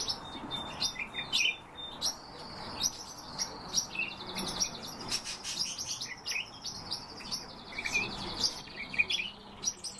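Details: European bee-eaters in a calling group: a steady run of liquid, rolling trills, some drawn out for a second or more, interleaved with short sharp chips from other birds.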